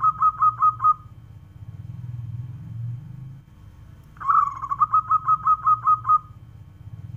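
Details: Zebra dove (local perkutut) making two bouts of fast pulsed cooing, a short run then a longer trill of about ten notes, separated by a stretch of low rumbling noise, with a background hum.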